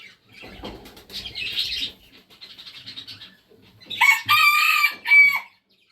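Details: Red junglefowl crowing: a loud, harsh, harmonic crow comes in two bursts near the end, a long one and a short final note. Quieter scratchy chirps and rustling noises come before it.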